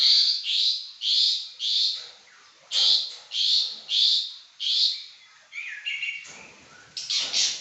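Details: Caged pekin robin giving a loud, energetic song of rhythmic harsh chirped notes, about two per second, then a short sliding whistled phrase and further chirps at the end.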